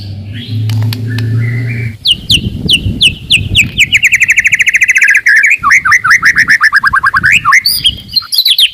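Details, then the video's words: White-rumped shama singing to rouse rivals: after a low hum, a long fast sequence of crisp repeated notes shifting into rolling downslurred phrases and varied whistles. "KICAUAN TERBAIK,,PASTI AMPUH,, MEMANCING/MENAIKAN EMOSI LAWAN."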